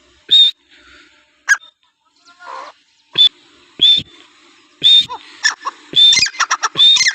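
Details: Teetar (francolin), described as Iranian, giving loud, harsh, scratchy call notes with brief high whistled tones, spaced irregularly and then bunched into a rapid burst near the end; background otherwise quiet.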